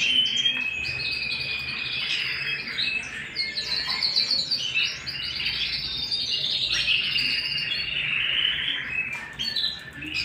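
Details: At home, a canary pours out a long, varied song of rapid high trills, buzzy rolls and chirps, changing pace every few seconds with a brief dip near the end.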